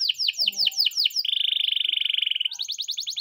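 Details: Canary singing a morning training song: a few clear downslurred notes, then a long even buzzing trill, ending in a quick high-pitched rapid series.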